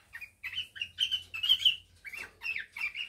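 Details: Male cockatiel courting a female for mating after finishing the nest, kept as a breeding pair: a run of short chirpy warbled notes, some rising and some falling, in quick uneven bursts with brief pauses.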